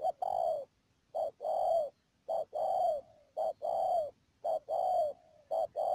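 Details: Spotted dove used as a decoy bird for trapping wild doves at Mương Điều, Đầm Dơi, Cà Mau, Vietnam, 12 March 2019. Low mellow cooing comes in paired phrases: a short note followed by a longer drawn-out coo, repeated roughly every second.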